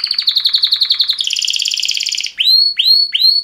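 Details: Male canary in mating song: rapid rolling trills shifting pitch midway, followed by three upward-swooping whistled notes.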